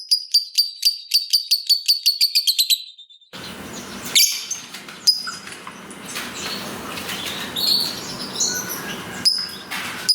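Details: Lovebird of the fighter type in ngekek style, used as a lure to make other lovebirds sing. A fast run of high, clipped repeated notes comes first, then heavy rustling noise with scattered chirps.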